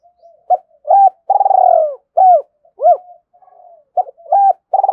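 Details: Spotted dove giving its calling coo, a fine-voiced bird: soft lead-in notes, a drawn-out vibrating coo, then crisp arched hoots and a stuttering closing phrase, clear and loud with no other sounds.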